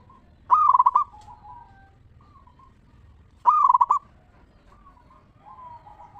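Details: Local zebra dove singing a lure song in the ngeristal style, meant to prompt other zebra doves to answer. Two loud, rapidly stuttering cooing phrases about three seconds apart, with soft lower coos between them.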